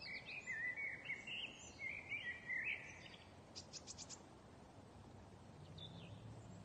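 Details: Bird chirping during lockdown: a run of quick, high twittering chirps and short trills for about three seconds, then a few sharp clicks, over constant low background noise.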